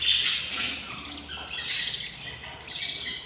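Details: Budgerigar chicks in the nest, six siblings hungry on day 20, give short, wheezy squawks. Several rasping bursts fade between each outburst.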